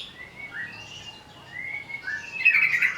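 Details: Agitated greater green leafbird, provoked into song, giving drawn-out slurred whistles that rise and fall, ending in a louder burst of rapid scratchy twittering.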